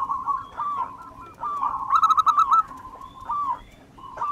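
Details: Local wild zebra dove singing steadily for use as a lure: continuous wavering cooing phrases with a louder quick stuttered run in the middle, over a noisy background.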